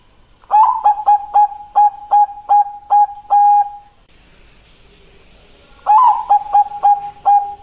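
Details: Bangkok zebra dove, female calling the male, gives two bursts of rapid, level cooing notes, the first lasting over three seconds, separated by a pause with faint hiss.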